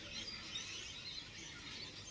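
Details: A distant flock of rainbow lorikeets at their nesting tree around sunset in summer (February), sub-tropical Brisbane, Australia, makes a continuous wash of shrill, screechy chatter, many birds calling over one another without pause.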